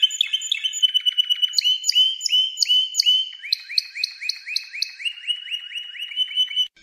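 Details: Training song of a Spanish Timbrado canary, meant for teaching canaries, made of long continuous rolling trills of quick rising notes, with an upper series of repeated notes running alongside and changing pace midway.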